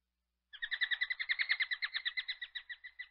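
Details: Common kestrel giving a fast run of sharp, ringing kee notes, roughly three to four per second for about two and a half seconds, evenly pitched and slowly fading toward the end.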